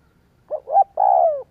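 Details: Spotted dove lure call for provoking other doves into cooing: a short low note, a rising hooted note, then a long buzzy coo sliding downward, given once in clean silence.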